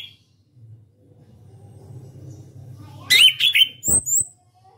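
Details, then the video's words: After a long quiet stretch with faint hum, a champion contest orange-headed thrush in ngeplong style delivers one brief rush of buzzy notes, a whistled slur and a sharp click, ending with thin high whistles. "KICAU ANIS KEMBANG NGEPLONG"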